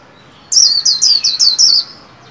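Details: 'Líu' song of a caged white-eye in training, new year: six clear, high whistles in quick succession, each sliding downward, delivered in just over a second with steady spacing and nothing else audible.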